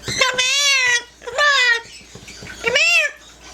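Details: A female yellow-naped amazon, a lively captive bird that sings and talks, gives three drawn-out, voice-like vocalizations with rich harmonics, each half a second to a second long, in a small indoor room while her owner calls her.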